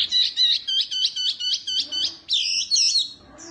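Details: Oriental white-eye, a small bird described as fierce and suited to tutoring other birds. It gives a fast string of high, sharp chirps repeated about four times a second, then a buzzier twittering burst. A faint low hum sits underneath.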